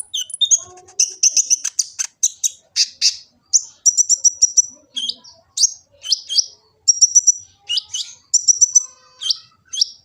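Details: Kolibri ninja sunbird in Gresik, East Java, singing a full-variety song used as a master for training birds: rapid high twitters, buzzy trills and short slurred whistles in busy bursts.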